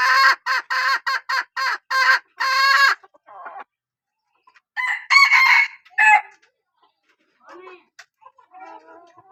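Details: Chicken hen from a strain said to call well opens with seven quick harsh squawks, pauses, then delivers a longer rough harmonic call, with faint quieter sounds trailing afterward.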